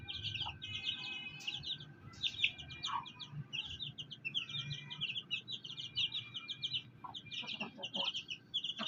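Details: Fighter chicks with their black hen: steady bursts of shrill, rapid peeping from several chicks over a low rumble of background noise and occasional deeper clucks.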